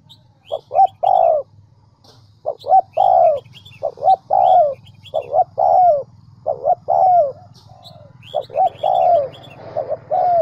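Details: Repeated cooing from a Vietnamese decoy spotted dove of the Central Highlands. About eight quick pairs of a short coo and a longer sliding croo arrive in steady succession, with soft background hum and distant twittering birds.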